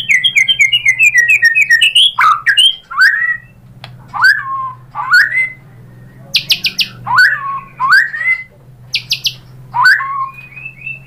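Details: White-rumped shama (murai batu) singing a lure song meant to excite other shamas into singing. Varied phrases of slurred, falling whistles and chattering notes, with short bursts of harsh high buzzes between them and a low steady hum underneath.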